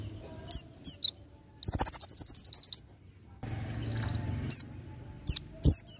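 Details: A wild Oriental white-eye gives high, thin chirps and a fast burst of about a dozen sharp, evenly spaced notes, with a soft hiss of background noise.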